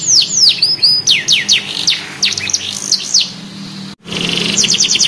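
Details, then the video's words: Young canary learning to sing: a run of separate high downswept whistled notes about two per second, a brief break, then a fast trill of short high notes. "KENARI PAUD BELAJAR BUNYI LANGSUNG NYAUT | CANARY SINGING"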